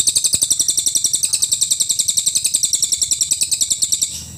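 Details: High, rapid chirping from a cililin in full nembak style, kept up steadily at roughly three to four notes per second for four seconds before fading, with faint low hum beneath.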